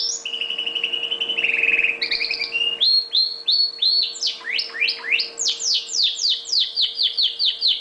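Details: Red factor canary kept as a pet, singing a sustained rolled trill, then brisk repeated whistles and a fast run of steep downward sweeps, repeated several times a second, with a low steady hum.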